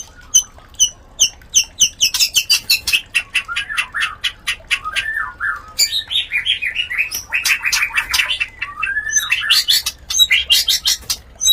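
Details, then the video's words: White-rumped shama calling while mating, used as breeding therapy for other birds: evenly spaced sharp clicks give way to loud, dense chattering and squawky descending phrases in a steady rush. "Terapi Suara Murai Batu Kawin"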